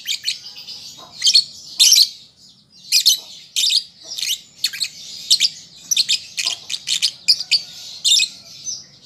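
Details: Young lovebird learning to sing: steady series of piercing, rasping chirps over nine seconds, irregularly spaced, with a continuous buzzy chatter between them.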